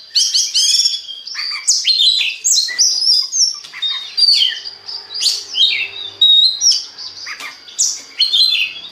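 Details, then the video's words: Song of an Oriental magpie-robin played to get other magpie-robins singing: bursts of sweet whistles, chirps and buzzy twitters repeated roughly every half second to second, loud and continuous over a faint background hum. "DI JAMIN BIKIN KACER LAIN AUTO GACOR DENGAN PANCINGAN BURUNG KACER INI"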